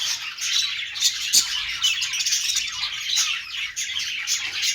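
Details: Dense high-pitched chirping and warbling from budgies, many overlapping notes with a few sharper squeaks and ticks.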